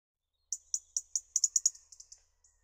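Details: Garden robin recorded in spring (March–April 2013), a rapid series of about a dozen very high, tinkling ticks at even spacing, fading toward the end.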